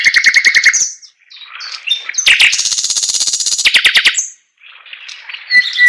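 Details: Chinese hwamei singing in bursts: quickly repeated notes, a short gap, a long rapid trill, another silence, then the song resumes with fresh whistled phrases.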